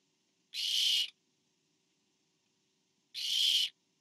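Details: During a parent's food delivery to owlet number four in a Barn owl nest, 24 September 2015, two drawn-out breathy screeches sound about two and a half seconds apart over a quiet, faintly humming background.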